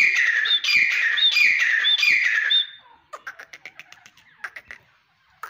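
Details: Teetar, the grey francolin, in a burst of four rasping phrases, each closing with a shrill rising whistle, followed by a quiet stretch of scattered clicks.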